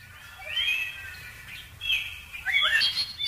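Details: A plaintive cuckoo chick that pushed two step-siblings out of the nest gives thin, high squeaky chirps in three uneven bursts, some notes sliding upward, over a faint low rumble.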